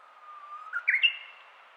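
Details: Early-morning song of a Japanese bush warbler, first heard in 2023: a drawn-out level whistle that breaks into a short rising, explosive two-part flourish, clear against a quiet background.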